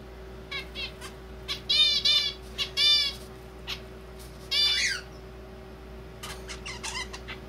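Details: Zebra finch chick beginning to practise its song, still clumsy and almost like talking: bursts of buzzy, harmonic-rich notes in rapid clusters, some longer rasping syllables and short clicks, with a steady low hum behind.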